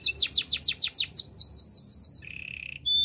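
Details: Canary singing for training other canaries: a run of loud repeated downslurred whistles about eight per second, then a low rolling trill and a brief high note.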